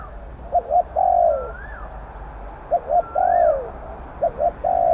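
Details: Spotted dove calling during decoy luring of wild medium-voiced doves. Repeated double short coos leading into a long descending croon, interleaved with a higher arched whistle from a second bird.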